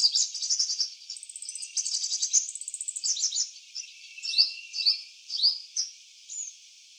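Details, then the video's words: Purple sunbird (Cinnyris asiaticus) in eclipse plumage in a garden sings a fast, high, thin jumble of twittering notes, then a run of sharp rising chips spaced about half a second apart. "Purple sunbird in eclipse plumage singing different songs"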